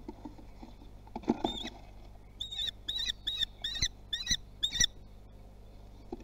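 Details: Common kestrel youngsters trying their wings at Théding, France, 24 June 2020; a flap-like rustle, then six sharp, high repeated calls spaced about half a second apart.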